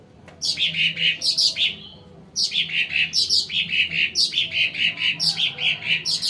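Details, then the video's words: Sumatran cucak ranting song for luring birds, long fast runs of bright chirping notes in phrases, a brief pause, then rapid repeated chips continue. "CUCAK RANTING SUMATRA COCOK BUAT PANCINGAN BURUNG BAHAN"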